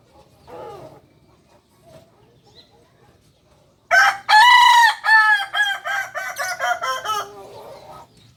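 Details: Kokok Balenggek rooster, a native chicken breed of Solok, West Sumatra, Indonesia, known for tiered crowing of up to 19 tiers. A faint short call comes first, then a loud crow breaks into about eight stepped segments over three seconds, fading toward the end.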